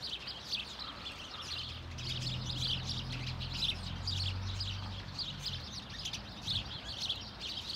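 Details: A flock of many house sparrows gives call notes in Hedbergska park, Sundsvall, on 26 November 2023: a busy overlapping chatter of short chirps, roughly two per second, over a low rumble of traffic or engine noise.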